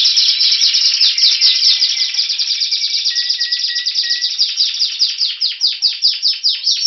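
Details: Caged Spanish Timbrado canary near Athens, Greece, singing in February 2016 ahead of spring: a brisk high trill of evenly repeated notes with a low whistled undertone at first, slowing toward the end into distinct, separated descending chips.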